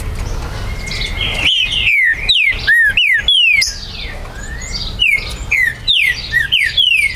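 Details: Green-winged saltator, territorial, from a registered breeder in Brazil, recorded 19 September 2020; loud whistled notes sliding down in pitch, repeated in two series, with other birds chirping faintly behind.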